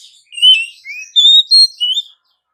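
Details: Oriental magpie-robin singing in the morning: a loud, clear run of short whistled notes, some rising and some steady, jumping between pitches in quick phrases over about two seconds, with no other sounds.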